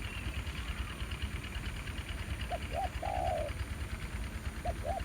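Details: One spotted dove phrase near a ground decoy in farmland, two quick hoots and a long coo, plus the start of another, heard over a rumbling engine and broad background noise.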